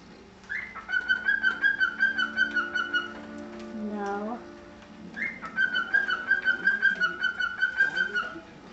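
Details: Tame pet cockatiel mother feeding her babies while being watched; chicks beg with rapid, rhythmic, buzzy pulsed calls, about three per second, in two bouts of roughly three seconds separated by a pause with a brief falling slide of tones.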